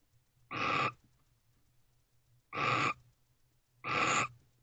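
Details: Owl pair in a nest box at 2:07 am on 11/8/23, spending much time allopreening; three harsh, breathy hissing bursts, each under half a second, repeated roughly every one and a half seconds, with a faint low hum between them.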